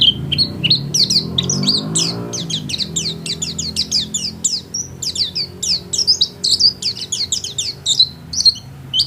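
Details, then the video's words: White-eye kept as a house bird in full, chatty song: a long stream of quick high chirps and twitters, tightly packed, with a soft low rumble early on. "Burung pleci gacor kelas rumahan"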